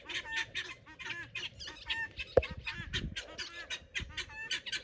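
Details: Excited pearl guineafowl patrolling a garden for bugs, giving a dense stream of grating, scratchy cries with a sharp knock partway through.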